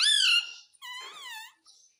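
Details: Pet parrot talking while asking for roti: a loud, bright syllable that slides downward, a short gap, then a second drawn-out, wavering word-like sound and a faint final note.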